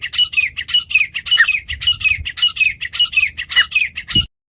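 A grey francolin gives a fast run of harsh, high, grating notes, about four each second, in a loud, steady chatter with no other clear sounds.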